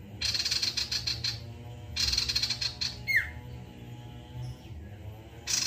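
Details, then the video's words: Male ashy tailorbird, song used to prompt other birds to sing: two bursts of rapid, high, buzzy chips, then a loud, downward-slurring whistle, a quiet stretch, and the start of another burst. "SIRTU JANTAN FULL NEMBAK GACOR MEMANCING BUNYI SIRTU"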